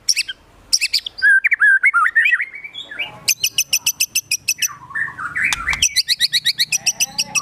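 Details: White-rumped shama in agitated full song (gacor emosi), filled with mimicked besetan, tembakan, sogon and kunti phrases: sharp rapid ticking bursts, then slurred whistles rising and falling, then fast repeated high clicking runs.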